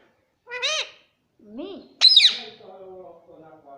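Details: Tame parrot saying "mummy" twice in speech-like, rising-falling syllables, followed by a sudden loud screech and a low, drawn-out muttering tail.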